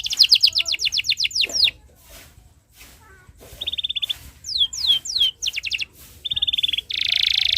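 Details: Canary singing a tutor song for young birds: a fast run of downslurred notes, a gap of quiet, short flat trills and sharp sweeping notes, ending in a loud buzzy roll.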